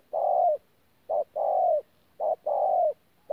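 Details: Wild-caught spotted dove from Tu Mo Rong, recorded 14 January 2019, in a thổ call style mixed with gù cooing: a short low coo, then a longer slurred one falling at the end, paired about every second, with quiet gaps.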